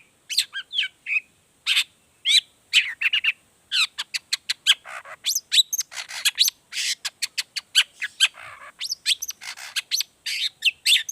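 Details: Long-tailed shrike (cendet) lure song in the energetic gacor 'toet toet' variation, meant to prompt other shrikes to sing: a long, rapid medley of scratchy chatters, whistled slurs and raspy bursts with very short pauses.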